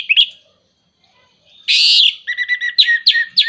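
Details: Orange-headed thrush song aimed at stimulating moulting, silent or non-breeding birds: one brief bright note, a pause, then a harsh, buzzy rasp followed by a rapid series of ringing, down-slurred whistles.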